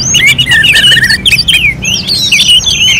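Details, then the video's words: Orange-headed thrush singing as in a bird contest simulation: bright, rich whistled warble of swooping slurs and quick trills, loud and unbroken, with a soft low hum behind. "KICAUAN ANIS MERAH"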